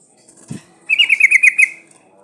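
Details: Breeding female sooty-headed bulbul calling to males. A single quick burst of six or seven bright, bubbly notes follows a soft low thump.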